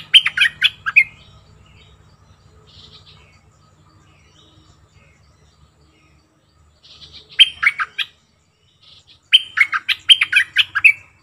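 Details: Lure call of a bulbul for attracting wild birds: three separate bursts of rapid, bright chattering notes, each about a second long, separated by quiet pauses with a low hum.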